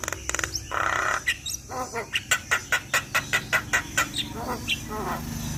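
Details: Javan myna full-content song meant to get a mute myna singing: an opening harsh rasp, then a steady series of about a dozen clipped, even, knocking notes near one per third of a second, followed by softer chattering.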